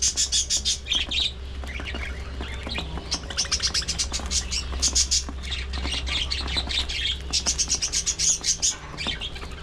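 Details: A thriving captive budgie flock kept as a breeding colony: dense, continuous twittering and chirping from many birds, rhythmic bursts of high chatter over a steady low hum.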